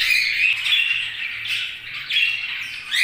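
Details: Budgerigars chirping: a continuous stream of scratchy, warbling chatter with short squeaky whistles, rising and falling in loudness.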